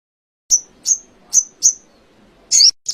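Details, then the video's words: Canary heard in a sogon-style training recording: four short, sharp, high descending chirps spaced roughly every third of a second, followed by a louder twisting note. "Masteran sogon kekinian materi kenari"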